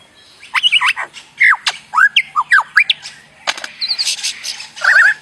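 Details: Bird giving strange, varied sounds: a rapid series of sharp whistled and squawky notes, some rising, some falling, in short bursts with brief gaps, ending in a warbled phrase.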